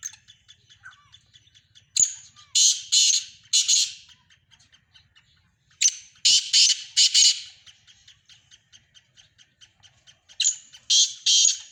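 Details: Several black francolins of the Sindhi kind calling: phrases of three or four loud, scratchy, grating notes recur every few seconds, separated by rapid faint ticking, with a soft low hum beneath.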